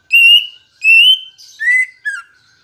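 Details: Green leafbird song played to get caged leafbirds singing: two long pure whistles held steady, then a lower slurred whistle and a short falling note.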